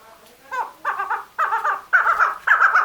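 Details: Calling female chakor, the chukar partridge: five raspy, stuttering chuck phrases spaced about half a second apart, starting softer and becoming louder and fuller.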